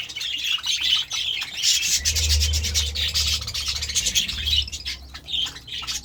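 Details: A flock of budgerigars at a vegetable feed keeps up continuous squeaky, twittering chatter with scattered squawks, mixed with gritty rubbing noise and a low droning hum.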